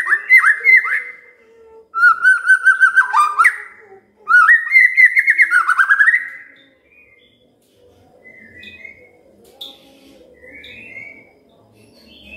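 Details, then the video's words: Magpie-robin song meant to stimulate a silent bird to sing: fast warbled trills and rolling whistles in three bursts over six seconds, followed by faint distant chirps over a low background hum. "Pancingan Murai DIAM Agar Rajin Bunyi"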